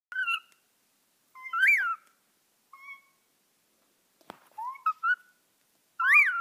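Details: A pet bird making weird sounds: separate short whistled notes, some sliding up then down, others flat and thin, with pauses of about a second between them and one sharp click midway, in an otherwise quiet room.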